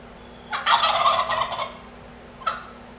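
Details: A turkey gobbles in a duel with a rival: one long harsh rattling gobble lasting about a second, followed by a short, sharp gobble burst, with a constant low background hum.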